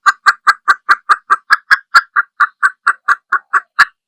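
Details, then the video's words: Evenly paced clucking from a female red junglefowl: about eighteen short, clipped notes in four seconds, roughly one every quarter second, in a clean, quiet setting. "Tiếng gà rừng(Mái)"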